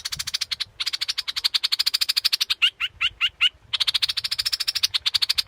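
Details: Scarlet-backed flowerpecker trilling rapidly and buzzily at high pitch, interrupted midway by five distinct sharp clipped notes, then resuming the fast trill to the end.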